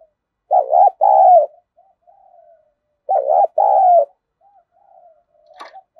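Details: Spotted dove giving a 'thúc gù' urging coo and calling, used to train decoy birds. Two loud, low, throaty double-note coo phrases about three seconds apart, with soft murmured coos between them.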